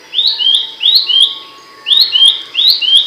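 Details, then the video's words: Abbott's babbler singing loudly and sharply, kept as tutor audio for songbirds: two groups of paired upward-slurred whistles, the second note of each pair lower, separated by a short pause, with tiny high clicks overhead. "Masteran burung pelanduk semak suara nyaring dan tajam"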